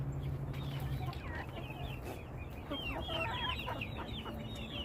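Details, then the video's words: Chickens in a flock giving many rapid, overlapping chirps with bending, downslurred and upswept notes, busier toward the end, over a constant low droning background. "Beautiful sounds of our flock"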